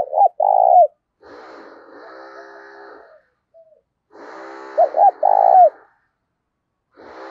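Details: Decoy spotted dove singing in the 'thổ đồng' style to excite rival doves: two cooing phrases, each with short opening notes and a longer falling coo, alternating with buzzy droning tones.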